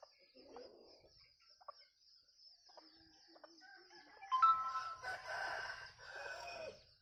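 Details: Bantam rooster crow described as resembling laughter, heard at a distance late in the recording as a rough, quavering phrase, after quiet scattered clucks, with a steady high insect-like whine running throughout.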